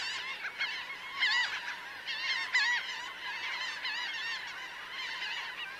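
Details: Laughing gull flock of roughly 1000 birds on ground and in flight, many voices calling at once; wavering, nasal yelps overlap continuously with occasional louder cries standing out.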